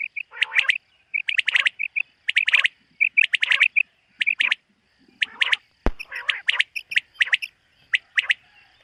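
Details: Common quail (batair) in a summer meadow in the morning, 2023: soft whistles alternate with bright triple-note bursts at a steady pace, plus one sharp knock near the sixth second.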